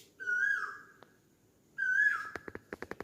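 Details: Asian koel giving two loud whistled notes, each held briefly then dropping in pitch, followed by a rapid series of sharp clicking knocks.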